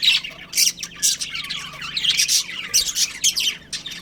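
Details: Budgerigars from a breeding pair giving bright, sharp chirps and raspy warbled notes in rapid pulses, several per second, over a soft low hum.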